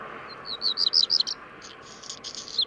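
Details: Black Redstart at Portland Bill on 6 April 2021: a quick burst of high, thin whistled notes, then a dry, scratchy crackle, with a steady background rush throughout.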